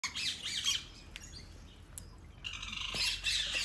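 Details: Rainbow lorikeet in Palmerston North, New Zealand, giving harsh, grating screeches in two bursts, a quieter gap between them with a few sharp clicks.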